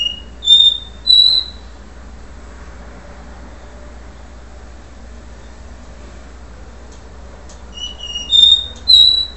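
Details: Do-re-mi song of a capuchino seedeater recorded before moult: a brief phrase of two or three pure whistled notes at the start, a long silent pause with faint hum, then a matching whistled phrase near the end.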